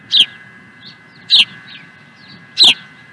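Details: Osprey at Dunrovin Ranch on 16 April 2020, giving three loud, sharp, high chirps spaced about 1.2 seconds apart, each with a brief downward slur, over a steady faint hum.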